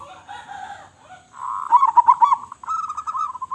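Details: Local zebra dove with a big voice: a soft, wavering coo opens, then a loud burbling trill and a steadier rolling coo follow without a break.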